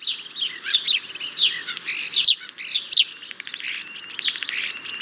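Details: Squeaky, rambling song of the European starling, slurred whistles and chattering clicks mixed with a thin, high, drawn-out whistle, the whole passage varied and continuous.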